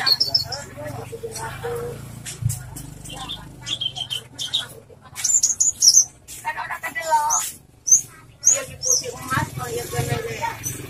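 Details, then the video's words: Branjangan, Horsfield's bush lark, a loud singer kept for song training. Mixed phrases of sharp high whistles, buzzy runs and short trills, broken by brief pauses, over a steady low hum. "branjangan suara keras"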